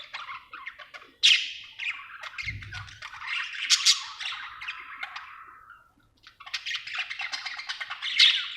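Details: Happy budgerigar warbling in long runs of harsh, rapid chirps and squeaks, a soft thud early on, a brief lull, then another energetic burst.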